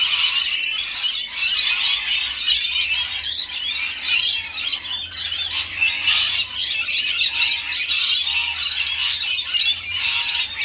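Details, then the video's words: Rainbow lorikeets calling while being fed: a dense, continuous chorus of harsh, high screeches and squeals from several birds, overlapping without pause. "Feeding the rainbow lorikeet"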